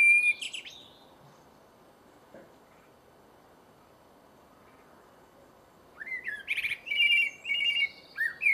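A blackbird mimics a phone: a brief bright electronic burst, a long pause, then a run of clipped, ringing, trill-like pulses. Nothing else is heard.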